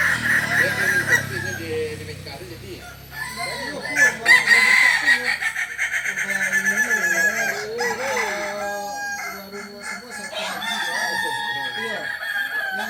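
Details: West Sumatran Kokok Balenggek chickens from Solok, a breed known for multi-level crowing. Many overlapping crows form a dense chorus of pulsing, wavering harmonic notes, peaking around four to five seconds in, with lower clucks beneath.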